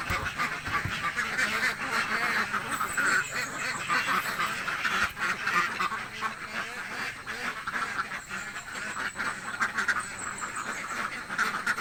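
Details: A crowd of hungry laying ducks in a village keeps up constant raspy quacking, calls overlapping into a dense chorus with occasional louder bursts and faint knocking sounds.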